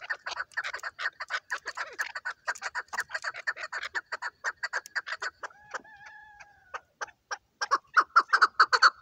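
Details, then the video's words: Chukar partridge kept for hunting, with dense clucking chuk notes, a short drawn-out whistled note in a pause, then renewed loud, fast clucking. "shekari chakor"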